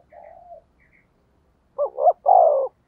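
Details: Spotted dove giving a thúc gù coo meant to attract wild doves: a soft, level hum first, then, after a pause, a loud, dipping double note and a long, rich, falling coo.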